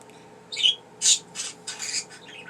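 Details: Two pet budgerigars, a male and a female, chattering indoors: a quick high chirp followed by four bright, scratchy bursts of warbling chatter over about two seconds, with a steady electrical hum underneath.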